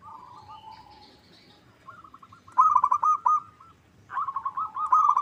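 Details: Local zebra dove song used as a lure to make rivals respond: soft low coos at first, then two strong rattling series of rapid coos in the second half.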